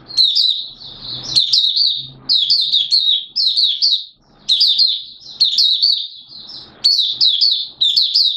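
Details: Oriental white-eye of Malaysian origin singing in Singapore, warm humid weather with sudden showers, 29 March 2023; clustered high twitters of falling notes delivered in repeated bursts, brief gaps between them, a soft rumble underneath.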